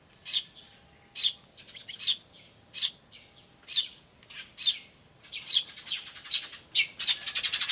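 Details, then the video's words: Adult and nestling Eurasian tree sparrows, recorded 10 May 2013 on an ivis camcorder. Loud high chirps about every 0.8 seconds, breaking into a quicker run of notes at the end. "スズメと雛の鳴き声(5) Sound of Tree Sparrows and chicks (5)"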